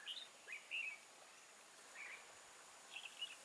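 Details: Red-whiskered bulbul decoy singing to lure wild bulbuls into a trap at Chùa Hương, Vietnam, on 24 March 2018: short, bright warbled phrases in scattered bursts with pauses between, over quiet rural background hiss.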